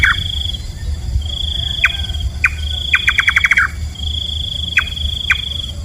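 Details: A night-feeding nightjar, locally nok kaba, repeats single knocking notes spaced about half a second apart, with one rapid burst of around seven notes in the middle. Constant high-pitched insect drone and low background hum.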